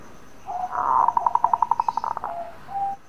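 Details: Local zebra dove giving bekur calls to provoke other doves to answer: a fast, evenly pulsed trill of about a dozen bright notes, framed by softer level coos, with a steady background hiss.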